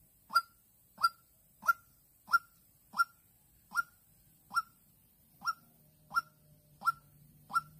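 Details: Young white-breasted waterhen decoy in Vĩnh Long, 16/3/2022, calling to draw in a lone, fight-ready wild female. About eleven evenly spaced, loud, sharp single notes come roughly every 0.65 seconds, with a faint steady hum joining near the end.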